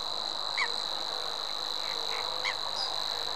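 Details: Unbroken, monotonous high reeling of a Savi's warbler, steady in pitch throughout, with a few brief downslurred chirps from other birds over a steady background hiss.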